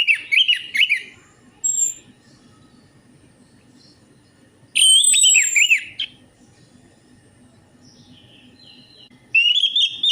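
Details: Orange-headed thrush song used as a lure to get reluctant birds to sing: bursts of loud, high, warbled whistles with sharp upward and downward notes, separated by quiet gaps of a few seconds over a low indoor hum.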